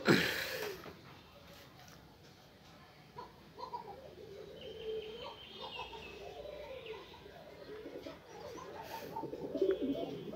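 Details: A black female Indian Fantail domestic pigeon gives low, soft, rolling coos in quick repeated bursts, with faint higher chirps from other birds behind.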